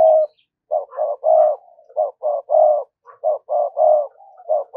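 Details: Lure spotted dove cooing to bring in wild doves, a rapid run of soft low coos, short paired notes alternating with longer mellow ones, repeated steadily without pause.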